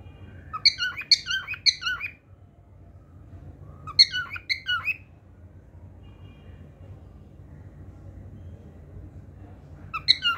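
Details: Cockatiel singing in short bursts of three or four quick squeaky, harmonic chirps separated by long quiet gaps, with one more burst at the end.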